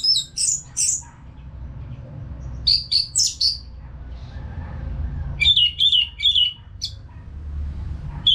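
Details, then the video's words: Orange-headed thrush in steady song for coaching caged birds: paired loud high whistles, a trio of slurred notes, then a rapid string of short repeated whistles, with quieter gaps between phrases. "ANIS MERAH GACOR TIADA HENTI TANPA NGETEM"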